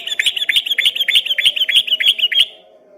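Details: Yellow-vented bulbul in full song, whose voice from afar was mistaken for a straw-headed bulbul: a fast rattling run of bubbly chirped notes, about three per second, lasting two and a half seconds before stopping.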